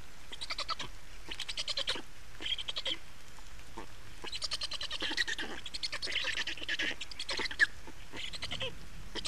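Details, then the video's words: Black storks at an Estonian nest during changeover and feeding on 28 May 2019: repeated hoarse, wheezy bursts of varying length, some drawn out, against steady low background noise. "Estonian Black Storks - Change and feeding"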